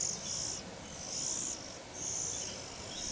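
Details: Oriental magpie-robin feeding its young, filmed from above; long, high hissing bursts, each up to half a second, run almost continuously with brief gaps.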